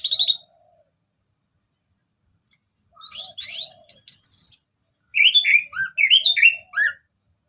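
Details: Orange-headed thrush singing in ngeplong style as a lure for other birds: varied phrases of rising, slurred whistles, fast sweeping notes, and descending warbles separated by short pauses.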